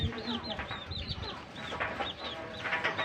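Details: Pet Pakistan ringneck parakeet pair chattering together: quick arched chirps in a rapid burst, some doubled, against a noisy background with low hum.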